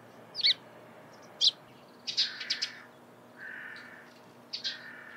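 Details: Eurasian tree sparrow in the morning, giving sharp high chirps followed by rougher, longer notes, with a steady lower drawn-out tone partway through.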